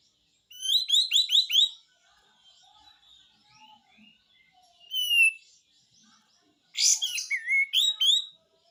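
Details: Pied triller singing actively in besetan style: a rapid series of five descending sweeping notes, a single drawn-out downslur, then a harsh burst followed by more quick sweeps.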